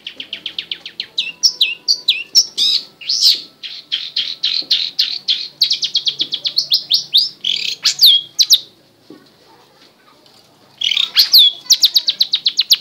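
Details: Long-tailed shrike in energetic song: rapid, dense chattering of high chips and harsh notes with twisting phrases, a short silence near the end, then another burst of fast repeated notes.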